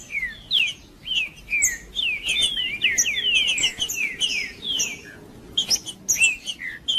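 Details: Green-winged saltator (trinca-ferro) in excited 'macheando' singing, used to heat up and stimulate another male; dense run of slurred, descending whistled notes with sharp higher chips, phrases tumbling together almost continuously across the clip.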